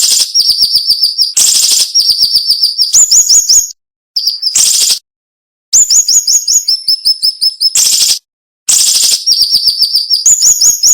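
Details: Cinnamon-bellied flowerpecker song in a sharp, dense 'nembak' style used as training material for songbirds: rapid series of thin high whistled notes, some falling, alternating with harsh buzzy bursts, separated by brief silent gaps.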